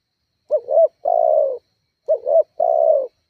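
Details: Spotted dove lure call to provoke rival doves: two phrases in quick succession, each a brief warbling two-part coo and then a longer, gently falling coo.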